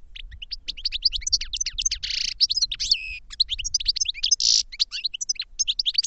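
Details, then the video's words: Dense goldfinch song: an unbroken stream of high twittering chirps and slurred whistles, with harsh buzzy wheezes woven in twice. "Goldfinch Song to Educate Newcomers to Their Call"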